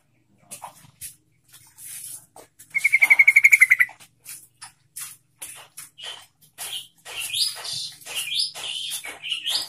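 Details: Yellow-vented bulbul song used as a lure to get other bulbuls singing: a fast rattling trill of about a second, followed by varied bubbly chirps and high warbled phrases.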